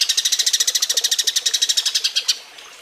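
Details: Eurasian tree sparrow mating call, a clear model recording for training other songbirds: a rapid train of about two dozen sharp, high chirps, roughly ten per second, for over two seconds before it stops into quiet.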